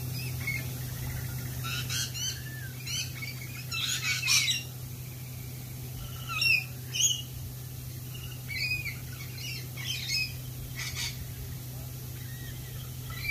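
Lorikeets give harsh, screechy squawks and sharp chirps in irregular bursts, several birds calling over a steady low hum.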